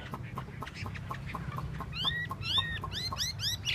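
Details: Chinese hwamei (hoa mi) showing its tail, soft repeated clicking at first, then loud clear downswept whistles repeated roughly twice a second, with a low hum underneath.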